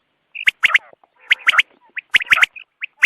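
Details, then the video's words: Dawn quail calls intended for hunting: crisp triple-note phrases, each a quick sharp burst, separated by soft grating rasps and a few lone whistled notes. Faint clicks accompany the louder notes. "batair ki awaz subha k liye"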